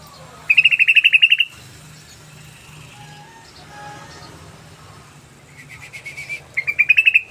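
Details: Sooty-headed bulbul calling in a fast rattling 'ropel' series for luring: a loud burst of a dozen rapid, clipped notes, a quiet stretch with low hum, then a fainter burst and a final loud chattering run.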